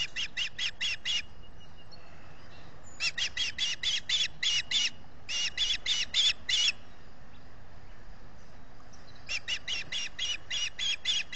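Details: Nest-camera recording from Salt Point, Finger Lakes, US, 18 June 2021: an osprey calling for fish with loud, shrill whistled chirps delivered in several rapid bursts of five to eight notes separated by short silences.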